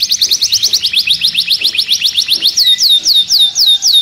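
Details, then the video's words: An agitated canary in a cage sings a fast, rolling trill of rising notes, about four per second, then breaks into a run of bright, down-slurred whistles. "كناري هائج داخل القفص"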